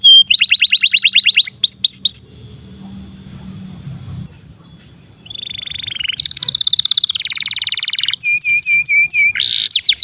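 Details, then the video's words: Long-winded canary song for tutoring young canaries and stimulating silent ones: fast metallic trills and rolls, a brief pause, then buzzy rattles and repeated whistled notes. "SUARA BURUNG Kenari GACOR PANJANG INI Cocok untuk Masteran KENARI PAUD dan Kenari Macet BUNYI"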